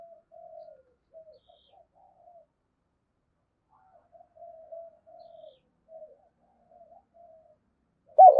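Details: Decoy spotted dove luring wild doves with quiet, low murmured coos scattered across the clip in short soft groups, ending in a sudden loud note.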